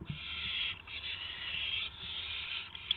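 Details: Owls at a nest after midnight, March 19, 2016, as adults bring prey to owlets; a loud, nearly continuous harsh raspy hiss with brief breaks, over a faint low hum.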